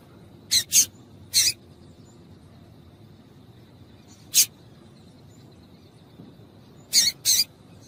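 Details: Female double-collared seedeater call, played to stimulate males to sing. Sharp, very short, high chips come in pairs and singles at uneven gaps over a faint steady background hiss.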